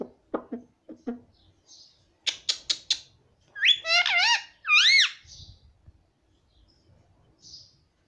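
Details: Baby ring-necked parrot, a pet, saying "Mummy": a run of short clicks and squeaks, then rapid chirps, then loud warbling humanlike syllables with bending pitch, ending in softer high notes in a quiet room.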